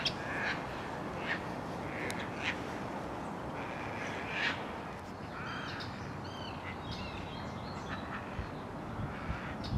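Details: Terns calling from a colony nesting on the roof of an abandoned building beside the Cataraqui River; several harsh, grating cries spaced through the clip, with fainter higher chirps near the end over a steady low background rumble.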